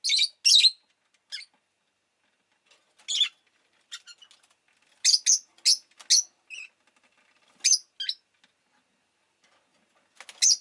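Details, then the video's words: A pet Rosy-faced lovebird gives harsh, shrill, high chirps in short irregular bursts, sometimes doubled, with quiet gaps between and no other sounds. "Lovebird Chirping Sounds"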